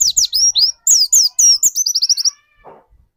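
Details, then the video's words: Dakun white-eye in a cage, singing hard as a lure for other white-eyes: a fast, high twittering run of down-slurred whistles that ends in a rapid trill of repeated notes, then fades. "Burung pleci dakun gacor seperti ini yang cocok buat pancingan burung pleci lain agar cepat gacor"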